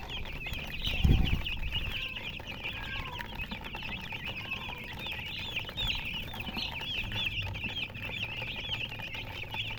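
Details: Chorus of baby chicken chicks chirping: many rapid, wavering high peeps overlapping without pause, with one brief low thump near the start and a low background rumble.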